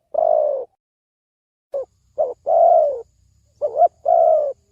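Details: Spotted dove lure call for trapping birds. A long falling coo opens, then short notes, another long coo, a double hoot and a final drawn-out coo. Quiet background.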